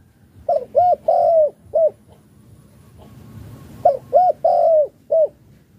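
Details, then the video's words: Chiêu gù coo of a spotted dove from Malaysia: two phrases, each two short clipped coos, a long mellow falling coo and a brief closing note, separated by a pause with faint low noise. "cu gáy chiêu gù ma lay si a"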